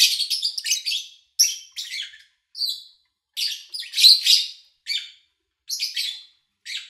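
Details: Lovebirds chirping in August 2019, recorded cleanly while their owner was out of town; a rapid burst of buzzy notes, then spaced, rasping high chirps and a clearer whistled squeak.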